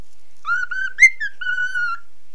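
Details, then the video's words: Singing cockatiel, nine months old, echoing a mobile phone: two short whistles, a brief upward-slurred note, then a long, steady whistle held for about half a second. "cockatiel singing and folowing my mobile"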